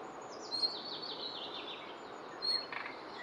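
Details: Common nightingale alarmed near its nest: a quick series of thin, high, downslurred notes runs for about two seconds, followed by a brief rougher burst, over a steady rustling background.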